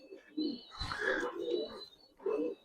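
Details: Low, burbling coos from Budapest highflyer pigeons in a loft, several soft rounded phrases running close together, with a faint thin tone sounding throughout.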